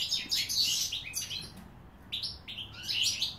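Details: European goldfinch singing, 2016: a rich twittering phrase, a short silent gap, then clear rising whistled notes leading into more rapid tinkling song.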